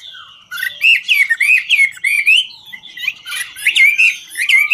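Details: Chinese hwamei singing and dancing, 'ngũ trường' song: loud slurred whistles rising and dipping, mixed with harsh squawky and clicking notes, phrases quickly repeated.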